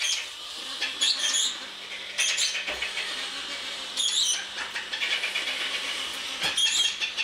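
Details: Captive-bred juvenile Congo African grey parrots from the 2009-2010 breeding season: loud, harsh, rasping screeches in short bursts about every one to two seconds over a constant hissing background.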